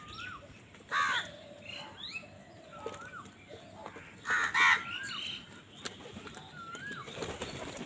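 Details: Angry crow in a feeding scuffle with wild birds: two rough caws, one early and one midway, among repeated rising-falling whistled calls from other birds and a noisy background.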